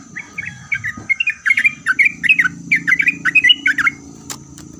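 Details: Sooty-headed bulbul song aimed at getting other bulbuls to respond: bursts of quick bubbly chirped notes in short groups, ending with a sharp click and low humming noise.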